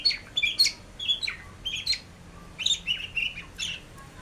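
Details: White-rumped shama song made of high, clipped whistled notes and bright ringing phrases in quick clusters, separated by short pauses, with a faint background hiss.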